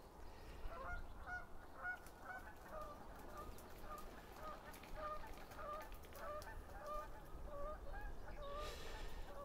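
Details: Canada geese honking from a flock in an orchard in early spring, where 150 to 400 geese have been present lately: overlapping two-note nasal calls several times a second, over low wind rumble and handling noise.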